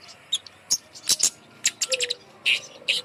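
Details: A lure bird meant to get lazy birds singing gives scattered bright, sharp chirps and short squeaks. A brief low whistle is heard twice.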